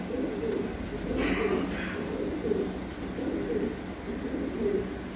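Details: Fancy pigeon breeding pairs on a pigeon farm: soft low rolling coos repeated about once a second, with a brief scrape of movement in the background.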